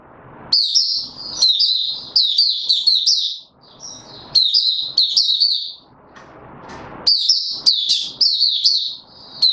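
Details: White-eye (Mata Puteh) kept in a cage, singing its opening song on 31 December 2021: thin, high, sweet twitters in rushed runs, broken by gaps of low shuffling cage noise.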